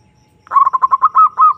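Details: Zebra dove calling to a rival, used to lure and excite caged birds: a quick burst of soft, rolling cooing notes, first clipped and rapid, then two longer drawn-out coos, in a quiet background.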